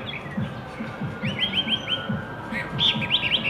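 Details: Blackbird singing in Shanghai in early spring, March 2015: a run of four quick, clear whistled notes, then a brighter trilled series, heard over a steady, low, rhythmic thumping in the background.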